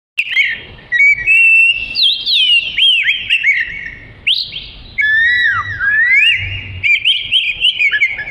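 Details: Oriental magpie-robin in prolific 'gacor' song used as fill material for training other songbirds: a continuous stream of clear, varied whistles, slurred up and down, with loud bursts and brief pauses between phrases.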